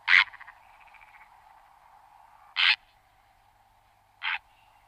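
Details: Harsh, hoarse croaks of a purple heron, three single calls spaced roughly two seconds apart, the last weaker, over a faint pulsing background; recorded June 2011 in the Ebro Delta Natural Park, Tarragona, Spain.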